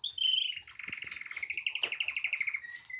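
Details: Canary in spring, just starting to sing: a clear opening whistle followed by a steady, rapid trill of repeated notes for about two seconds, ending in short chirps.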